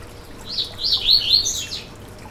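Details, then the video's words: Yellow-bellied seedeater, song to fire up a caged bird: a continuous warbled phrase of rapid high whistled notes, rising and falling and swelling in the middle, with a quiet background hiss. "Canto para foguear e esquentar seu COLEIRO BAIANO - 2022 - Piado e Canto"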